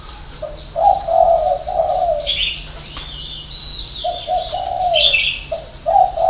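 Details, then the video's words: Spotted dove with a six-note call, 'hậu 3' ending style. Two phrases of low, throaty coos, each with a long slurred middle note, and occasional high chirps from other birds. "chim cu gáy 6 tiếng ( hậu 3)"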